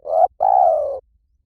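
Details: Spotted dove croon in two parts: a rising mellow coo, a short pause, then a sustained burry croo that slowly fades. The setting is quiet.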